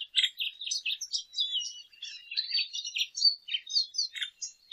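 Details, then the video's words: Lesser goldfinch in continuous song, a dense, rambling stream of high twitters, chirps and slurred whistles with little pause throughout. "Jilguero Aliblanco Canto! Llamado! Sonido! - Lesser Goldfinch Song -Spinus Psaltria"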